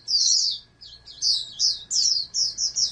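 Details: Short sharp twittered phrases, about eight in three seconds, from a captive-bred oriental white-eye raised for national competition, each a quick high squeaky burst with tiny gaps between.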